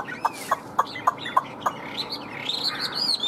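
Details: Caged Chinese hwamei in heated form. About six short, sharp notes come at even spacing, then the bird launches into higher, sweeping whistled phrases that grow louder toward the end.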